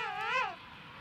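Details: A king penguin at St. Andrews Bay, South Georgia, among quarrelsome penguins flapping and jostling, gives a single brassy, richly harmonic trumpeting call that swells upward, then slides down and fades within about half a second. Faint background hiss.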